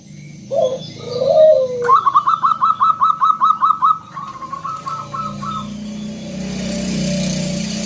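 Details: Local zebra dove singing loudly to prompt other doves to sing: low burbling coos, then a fast run of about a dozen clipped, even notes, fading into a softer tail with background hiss.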